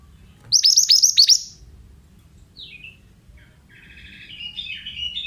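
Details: Oriental magpie-robin, male, song used to lure other birds into answering: a burst of five quick, descending whistled-buzzy notes in about one second, then a short chirp and a softer, scratchy twittering phrase.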